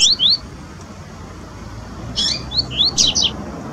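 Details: Double-collared seedeaters (Sporophila caerulescens) in the wild sing short, bright whistled notes, some rising and some falling, in quick bursts, with a faint low hum underneath.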